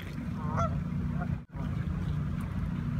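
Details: A flock of Canada geese in Toronto, Ontario: two short honks close together early on, then quieter, against a constant low rumbling background and a brief dropout near the middle.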